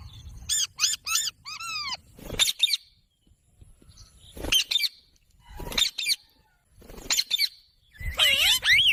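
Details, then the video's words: Green pet parrot giving grouped high arched squawks and harsh bursts, separated by short silences, ending in a noisy harmonic flourish. "Parrot Talking video"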